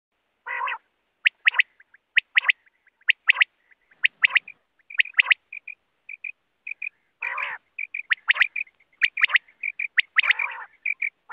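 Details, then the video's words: Several quail, used for hunting by netting, give short, sharp high notes about once a second, mixed with harsher buzzy bursts and clicks. "Quail sounds || Bater ki awaz || Batair ki awaaz"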